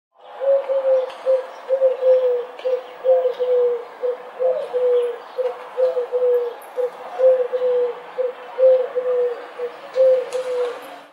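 A dove gives soft, low, hollow coos in a steady run, about one short phrase every second or so, over faint background hiss.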